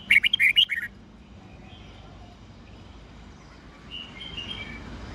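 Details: Red-whiskered bulbul giving morning song in the mature wild-bird style used to teach young white-cheeked birds; a quick burst of bright, rattling whistled notes lasts under a second, then softer warbled notes follow later over quiet background hiss.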